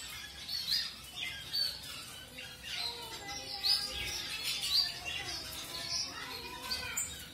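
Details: Zebra finches of mutation colours, newly put together with a new partner for pairing, utter short harmonic nasal call notes in irregular bursts, some louder peaks standing out, amid soft chirping and faint voices.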